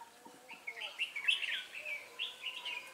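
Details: Red-whiskered bulbul singing as a trapping lure at Ba Thá on 18 December 2016; a continuous bubbling warble with bright whistled peaks, a faint low tone underneath.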